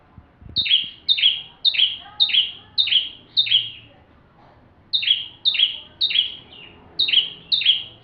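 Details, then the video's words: Full bar-winged prinia song meant to tutor magpie-robins: a run of six sharp falling notes, a one-second pause, then more rapid chips, with a faint click at the start. "Burung ciblek tamu fulll gacor cocok untuk masteran murai batu"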